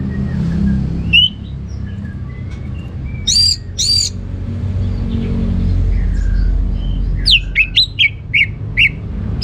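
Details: Orange-headed thrush, kept as a cage bird in Singaraja, North Bali, sings in a rich, varied, ngeplong (loud, open) style: short high chirps, then paired bright whistled notes and a quick run of rising, ringing phrases over steady low background hum.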